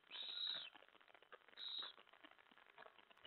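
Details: During a night feeding at 2:07 AM on 25 July 2017, a mouse is brought in while an owl gives loud, breathy screeching hisses, two long bursts a second apart, followed by softer scratching and shuffling.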